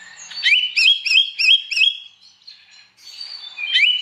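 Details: Lively Oriental magpie-robin morning song, provoking other magpie-robins to answer; five rhythmic looping whistled notes repeated about three per second, a brief lull, then a long thin whistle and a rising swoop.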